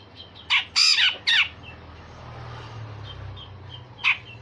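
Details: Grey-cheeked bulbul kept to train songbirds, giving a brief cluster of four loud rasping notes, then quiet with faint distant chirps and one final sharp note.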